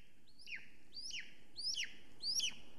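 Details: Female golden eagle at a nest in Estonia, filmed by a live nest camera at 9:53 am on 13 July 2020, calling on arrival: four thin two-part yelps, a high rising note dropping into a falling slur, about every 0.6 seconds over a soft background hiss.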